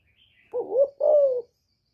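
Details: Calling female spotted dove, kept to stir males: faint high chirp first, then a rising coo followed by a long steady falling coo, low and mellow, quiet background.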